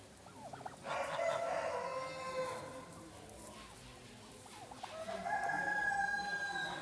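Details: Bronze turkeys at a national poultry exhibition in Roche-la-Molière, France, give two drawn-out mid-pitched quavering calls of about two seconds each, over a steady hall din and other poultry.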